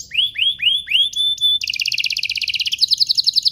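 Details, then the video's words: Canaries singing as a lure for young canaries: four rising whistled notes, then a quick pulsed trill that speeds up into high rolling notes. "Kompilasi DUO GACOR, cocok untuk pancingan kenari biar gacor, masteran kenari paud"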